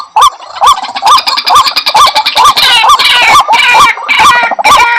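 White-breasted waterhen calling: loud, harsh, repeated croaking notes about twice a second, rising and falling in a steady, insistent chorus.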